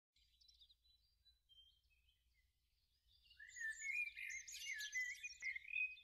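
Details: Osprey pair at the nest at Loch of the Lowes on 2 July 2014, mating again after their eggs failed to hatch. Faint high chirps give way to a busy run of shrill, piping whistled notes.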